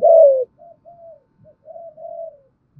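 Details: Spotted dove luring call meant to attract other doves, thúc gù and gáy gọi style: one strong falling coo, then a string of much softer level and slightly falling hooted notes.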